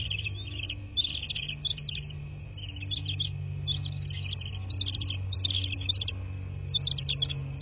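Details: Bald eagle nest in southwest Florida, nest camera around 23:19 in March: rapid staccato chirps and high piping notes in uneven runs, growing denser toward the end, above a persistent low hum.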